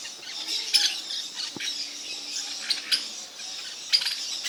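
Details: Maritacas, or parakeets, heard somewhat distantly: scattered harsh, grating squawks at irregular intervals over a steady low background hum, with one sharp click near the middle.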